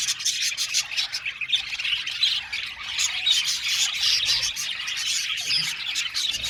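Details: Group of Australian budgies in an aviary producing nonstop chirping, a thick texture of quick, thin tweets and harsh little squawks, with a faint low rumble at times.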